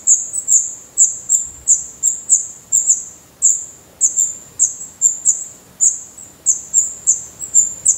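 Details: Chicks of the black redstart in a nest in Portugal, eyes opened and adult feathers growing, utter short high piping squeaks in a steady series, roughly two or three per second, each fading quickly.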